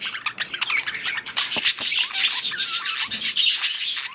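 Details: Breeding budgies in a rapid burst of chattering: squawky chirps and short warbled notes crowd together, with a few clearer whistled slurs near the end.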